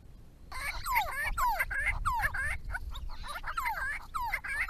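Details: Grey-crowned babblers in a small group visiting a backyard pond built for them: loud, harsh, nasal notes that swoop down then up, given in quick overlapping bursts about three a second, a steady chattering chorus with faint background hiss.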